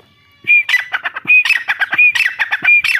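A grey francolin gives loud, harsh, squawking phrases in a rapid run. Each phrase starts with a thin whistled note, and phrases repeat about every three-quarters of a second.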